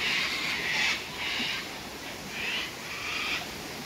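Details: Cockatoos drinking at the Tanninaba Falls waterfall, Springbrook, at sunset on 19 May 2024. Repeated coarse, slightly tonal squawks come about every second over rushing water.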